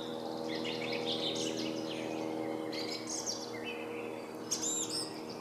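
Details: Song thrush delivering separate bursts of song about every one and a half seconds, each a cluster of sharp whistles and trills, with pauses between and a low hum behind.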